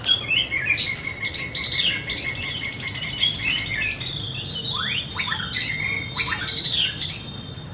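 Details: White-rumped shama singing high, thin whistled notes and sharp downward slurs, some held steady, with scattered chips, over a low droning hum.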